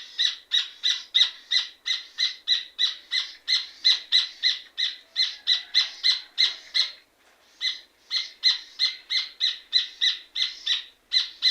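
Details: Rufous hornero, the red ovenbird, in energetic song: loud metallic chattering notes repeated about three per second, broken by two short pauses near the middle and end, with a clean quiet background.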